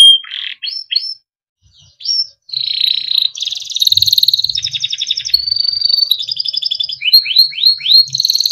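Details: Timbrado canary, a small yellow bird, singing for training: scattered upslurred chirps, then a long, varied sequence of buzzy and rolling trills changing pitch, ending with repeated rising whistles; faint low rumbles underneath.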